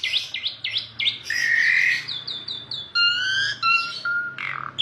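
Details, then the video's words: Asian pied starling singing: a varied run of short downslurred chirps, a long buzzy harsh note, repeated clear notes and steady whistles, loud and close with a faint low hum underneath. "KICAU JALAK SUREN MANTUL"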